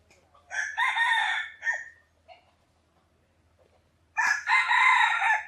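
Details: Wild jungle fowl near Teuk Chob Khnar Po Community Forest in Siem Reap, Cambodia, crowing loudly and close: two full, rich, harsh crows, each stretched over about a second and a half, separated by near silence with a faint low hum.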